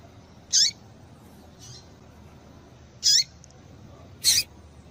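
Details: Female papa-capim calling to stir males into singing: three loud, sharp, squeaky chips high in pitch, each with a brief lower tail, spaced irregularly about every 1.5 seconds, with a softer call between them over a quiet, steady background hiss.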